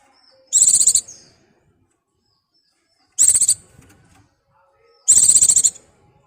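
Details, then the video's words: Calling for a mate, an excited Mountain white-eye (pleci) delivers three sharp, very high twittering bursts, each under a second long, about two seconds apart, with nothing else audible. "BURUNG PLECI BIRAHI GACOR MEMANGGIL PASANGAN"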